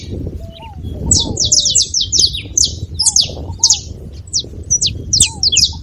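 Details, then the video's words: Song of a saffron finch for stimulating a cold canary: a quiet start, then rushed, high, scratchy chirps in close groups, with soft low whistled notes and a murmur of background noise. "canário da terra com belo canto pra foguea seu canário frio"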